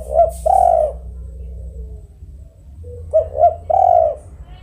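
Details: Spotted dove (tekukur) cooing at mid-low pitch: two short hooted notes, then a longer drawn-out coo. The phrase is heard twice, about three seconds apart, over a steady low hum.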